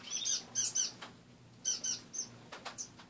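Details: Caged finches kept as pets, heard in the morning: rapid high peeping notes in two or three quick groups, with soft rustles and a low background hum.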